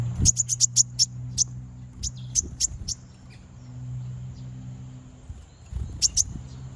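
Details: Konin bird singing to provoke rival birds: bursts of very high, sharp chirps in quick runs, with a faint steady high tone and low rumbling noise underneath.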